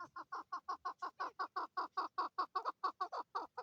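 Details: In Swat, Pakistan, male and female chukar partridges deliver an even, rhythmic string of short, hoarse 'chuk' notes, about five per second, strongly repeated without pause for several seconds.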